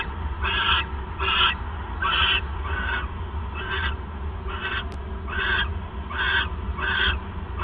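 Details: Owl on the night of 28 December 2014, when the male brings the third mouse; ten rasping, screechy bursts repeat almost every 0.7 seconds, with one sharp click, over a low constant rumble.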